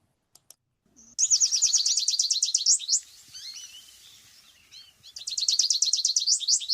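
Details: American Goldfinch song: fast runs of high, twittering notes repeated about three a second, a softer varied patch between them, then another bright run; a less typical, little-varied song.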